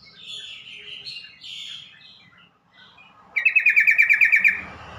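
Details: Yellow-vented bulbul call, used to get quick replies from other bulbuls and to coax stressed, silent or newly caught birds into calling: soft warbled notes, then a loud, fast, buzzy chatter of about ten pulses in just over a second.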